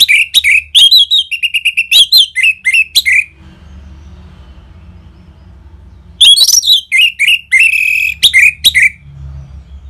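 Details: Orange-headed thrush singing in the ngeplong style, a lure to stir caged birds into song: two long outbursts of rapid, varied whistles and chirps, split by a three-second lull holding only a low hum.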